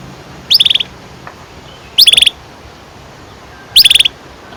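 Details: Canary, song meant for teaching young birds: three short bursts of rapid chirps, each a quick rattling cluster, spaced about one and a half seconds apart, over quiet hiss.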